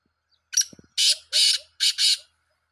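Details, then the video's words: Black francolin calling: a short rasping note, then three loud harsh grating bursts in quick succession, each about a third of a second, with no other sounds. "titar sultan voice"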